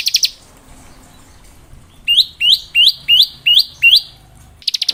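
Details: Singing ciblek (bar-winged prinia), ngebren variation used for teaching young birds: brief fast chirp bursts at the start and end, framing six separate hooked, rising-then-flat whistled notes about half a second apart.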